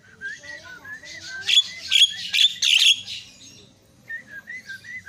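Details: Myna calls used as a lure to provoke a silent myna into calling: soft wavering whistles, then a burst of loud harsh chattering notes in the middle, and whistled phrases returning at the end.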